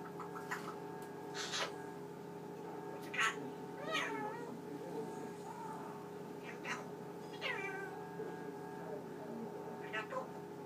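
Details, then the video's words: Pet Eclectus parrot running through its talking vocabulary at night before being covered, giving short, wavering, meow-like and speech-like phrases every second or two over a steady indoor fridge hum. "my talking Eclectus Parrot"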